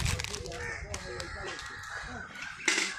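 A crow gives short, harsh, nasal caws. A voice may be heard alongside, and a loud scraping burst comes near the end.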